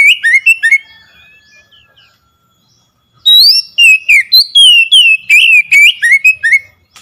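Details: Oriental magpie-robin song used to coax a silent bird into singing. Rapid bursts of sharp, varied whistled notes, a pause of about two seconds, then a fast run of about a dozen clipped, rising and falling whistles.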